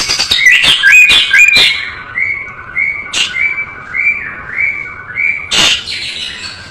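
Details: White-rumped shama tutor recording, full rich song: quick bright whistles and scratchy notes at first, then evenly spaced, slurred whistled phrases broken by two sharp harsh bursts.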